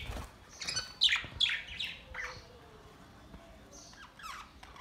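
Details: Budgerigars recorded May 29, 2023, breeding noted: quick sharp chirps and rasping squawks clustered early, a quieter lull, then a few more chirps near the end.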